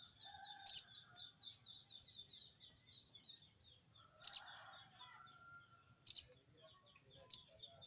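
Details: Crested jay, a bird calling out a rival, uttering 'crecet cerecet': four scratchy explosive bursts at uneven intervals, with a faint whistled note and a persistent shrill insect drone behind.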